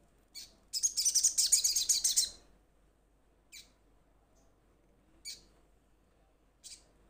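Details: Sunbird calling to its companions, described as starting to call energetically: one dense, very high rapid trill of about a second and a half, followed by three short, isolated high chirps spaced a couple of seconds apart.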